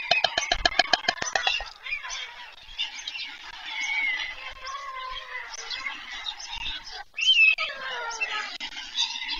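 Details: White stork chicks begging during an evening feeding at the nest, Pyriatynskyi National Nature Park, Poltava region, Ukraine, 21 July 2024. Rapid clattering ticks open, then a continuous hoarse, wheezy, broadband hiss with rising and falling harsh tones.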